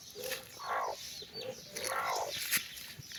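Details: Mother hen calling her chicks for a walk: drawn-out, harmonic, slightly rising calls, two main bursts about a second apart, with faint high chick peeps around them.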